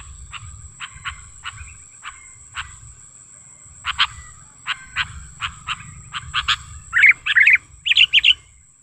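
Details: Sooty-headed bulbul lure call, presented as natural wild sound: a series of short dry clicks speeds up and grows louder, ending in bright bubbly warbled phrases; a thin steady high tone continues in the background.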